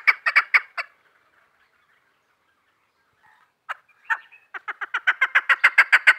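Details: Female chukar partridge calling: a few rapid harsh clucking notes, a pause of about two and a half seconds, then a quickening run of loud, evenly spaced chuck notes building to over three per second.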